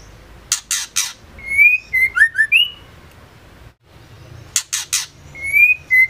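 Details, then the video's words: Female white-rumped shama, whose voice is used to stir male shamas into song: harsh, rasping bursts in pairs and triplets alternate with a run of clear, slurred whistles. Some whistles rise and some fall, and the sequence repeats after a short pause. "Murai batu betina gacor ampuh untuk pancingan murai trotol & dewasa"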